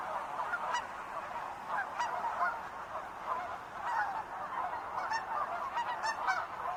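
Wild geese honking steadily, a dense overlapping chorus of nasal mid-pitched calls from a large flock, with no other clear sounds.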